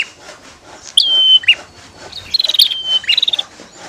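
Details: Bar-winged prinia pair, female against male: one long clear whistle dropping at the end, followed by a stuttering run of sharp ticks and another whistle over faint background.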